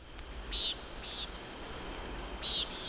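Common Nighthawk giving short, nasal, buzzy peent notes, four in three seconds at an uneven pace, over a faint steady hiss.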